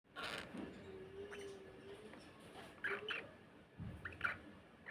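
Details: Pet cockatiel fighting with its owner: three short, harsh, noisy bursts near the start, at three seconds and past four seconds, over a low steady human voice and room noise.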